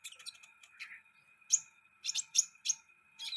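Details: Sunbird kept around the house, giving sharp, very high chirps and short buzzy bursts in irregular clusters, with a steady thin whine running underneath.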